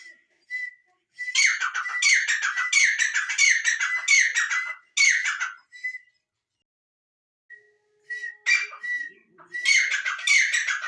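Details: Francolin giving bursts of loud, grating notes in quick rhythmic series, broken by a near-silent pause with a few short whistles before another harsh volley starts.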